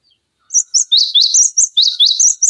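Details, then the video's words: Cinereous tit singing energetically, played as a tutor and lure for other songbirds: a quick run of piercing, very high chirps and short sharp trills with alternating pitches, heard cleanly without background noise. "Masteran Pancingan Gelatik Batu Gacor Full Isian Tembakan Tajam Durasi Panjang"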